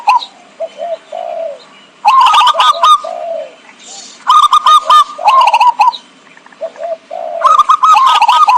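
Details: Zebra dove lure call used to attract wild birds for trapping: soft, low cooing notes alternate with loud bursts of rapid, staccato cooing, each phrase returning about every two to three seconds.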